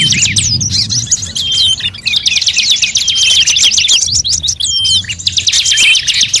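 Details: Bird-luring sounds from several kinds of birds: busy high twittering, fast buzzy trills and slurred whistles crowding together, over a faint low rumble.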